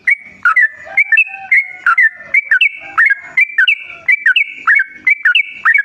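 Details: Yellow-vented bulbul song used as a lure to draw other bulbuls into singing: bright, liquid whistled phrases, each a quick rising-then-falling bubbly flourish, repeated densely without pause.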